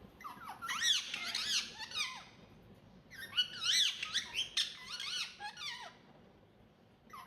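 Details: Pet ringneck talking parrot in a small room: dense, fast, high squeaky babble in two long bursts of swooping, looping notes with sharp clicks, then quieter single squeaks.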